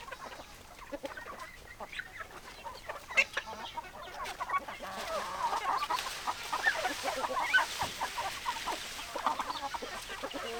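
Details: Many hens clucking together, a dense, restless chatter of short clucks and rising squawks that grows louder and busier over time.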